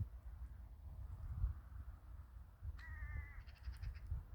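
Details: A crow in a village in winter gives a single hoarse, harmonic caw lasting about half a second late in the clip, over steady low wind rumble.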